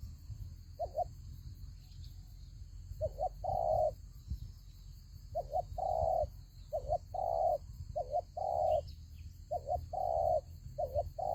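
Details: Spotted dove used as a decoy in a fighting trap coos steadily, about six phrases over eleven seconds, each a quick double note followed by a longer, fuller coo, against a continuous high-pitched hum.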